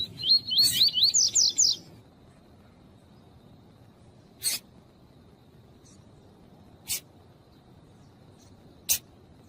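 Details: Female coleiro tui-tui seedeater calling to excite the male: an opening burst of fast wavering whistled loops over two seconds, then three isolated harsh chips spaced a couple of seconds apart in quiet.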